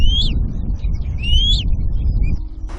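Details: Two well-grown Demoiselle Crane chicks forage with their family on the Central Asian steppe in summer. Two thin, rising whistled peeps sound about 1.3 seconds apart over a low wind rumble.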